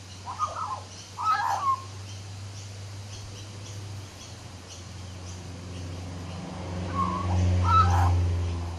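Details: Male magpie perched on a back deck, singing quietly to himself, gives two short bursts of warbling notes, then a gap and two more phrases near the end, over a steady low hum.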